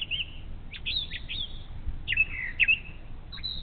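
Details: Early-morning brown thrasher near an eagle nest on the Little Miami River in Ohio, singing short bright phrases of slurred whistles and sharp notes, steady low hum behind.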